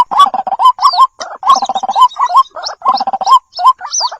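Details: White-breasted waterhen calling, recorded to lure the bird: loud, harsh, gargling croaks in quick stuttering bursts, each ending in an upward hook, with fainter high slurred notes between phrases.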